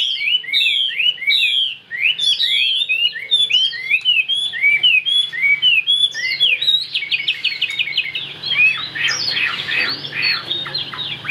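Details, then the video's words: Chinese hwamei kept in a cage and singing powerfully: rapid chains of bright slurred whistles, the phrases changing often and sometimes speeding into fast trills near the end, with a faint low indoor hum behind. "Hm 2783 - Bộ khủng hót cực tốt, đuôi lá vả, hót cao cầu"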